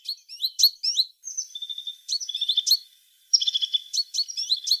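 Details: High, rapid chirps from a singing tit alternate with thin, drawn-out whistles and short trilled passages, delivered in quick bursts with brief silences between them.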